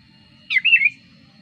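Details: Sooty-headed bulbul lure song for attracting wild bulbuls: a single slurred, bubbling phrase with rising and falling warbled notes, set against a quiet low hum and a thin steady tone.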